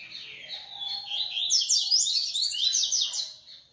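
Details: Double-collared seedeater (coleiro) from a Brazilian breeding aviary, delivering a continuous rapid song. Dense, high, buzzy slurred notes tumble over each other for several seconds before fading.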